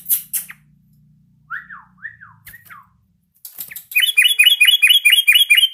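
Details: Yellow-vented bulbul learning to sing: a couple of harsh notes, then three clear downward-slurred whistles, and finally a dense run of rapid, bright chirps repeated about twice a second.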